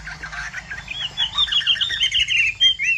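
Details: Chinese hwamei of the Bộ Tam Hoàng type singing a song likened to pattering rain. Busy, soft chirps open the phrase, then a run of clear, high, warbling whistled notes streams quickly through the second half.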